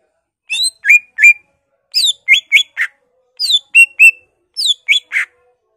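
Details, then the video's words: Greater green leafbird singing an energetic song packed with imitations of other birds. Falling whistles alternate with upslurred notes and a rasping squawk, repeated in three similar short phrases. "BURUNG CUCAK IJO GACOR EMOSI NGENTROK BONGKAR ISIAN , Murai, Poksay, Cililin, Kapas tembak, Kenari"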